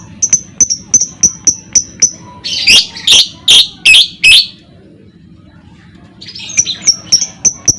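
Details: Lovebird ngekek used to provoke other lovebirds: a quick, regular run of high kek notes gives way to five loud, harsh, rasping bursts. A near-silent gap follows before the rapid high ticking resumes.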